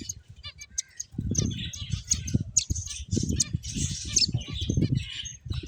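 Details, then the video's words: Several finches playing, giving dense high-pitched chirps and twittering notes, with low thumping and fluttering rumbles underneath, probably from wingbeats and movement. "Cute Birds Chirping Sounds | Beautiful Finches Playing"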